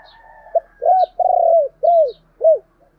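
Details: Decoy spotted dove gives its calling phrase: a short lead note, an arched coo, a long burred coo, then two more falling arched coos, all low and mellow in about two seconds. Faint high chirps are heard behind.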